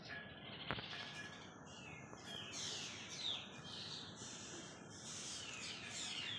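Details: Four black drongos mobbing a cat and driving it from a bush at 07:55 on 22 December 2020, giving harsh, scratchy alarm calls with quick downward sweeps every second or two, over background hiss and faint chirps of other birds.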